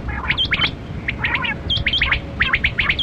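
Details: Quail, known locally as kali kirak batera, from a hunting recording: quick clusters of sharp, rising chirps with bright overtones, coming in uneven bursts over low steady background rumble and a faint continuous hum.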